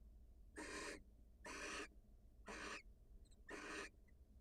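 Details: Barn owl pair, wild, at their nest as the female goes out to meet her mate; four broad, breathy screeches repeat about once a second, with a couple of faint high ticks between.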